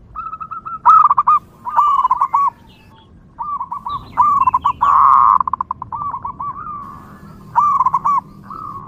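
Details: Wild zebra dove singing, recorded to lure other zebra doves: phrases of soft rolling coos broken into rapid stuttering trills, one stretched into a dense rattling burst, repeated with short pauses, faint chirps of other birds behind.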